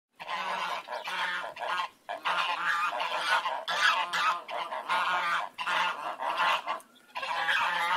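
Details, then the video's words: Geese honk loudly and almost continuously, harsh nasal calls overlapping in bursts with only brief pauses. "Goose Noises"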